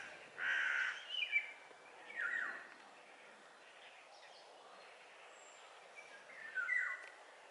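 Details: Eurasian golden oriole song: several fluting whistled phrases, one loud burst near the start and another near the end, with faint other bird notes and background noise.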